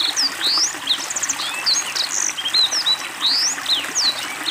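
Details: Black-throated Canary singing energetically during water therapy: a lively stream of high, clear upslurred and downslurred whistles, a brief rapid trill near 1.2 seconds, and soft running water in the background.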